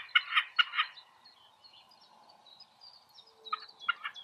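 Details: Common snipe singing in spring, giving harsh, rhythmic chip-per notes in quick pairs, one burst at the start and another near the end, with faint high birdsong behind.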